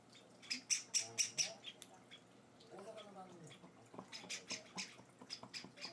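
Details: Java sparrow nestlings beg while being hand-fed indoors, four days after arriving. Short bursts of scratchy high chips open and close the clip, with a person's quiet voice in the pause between them.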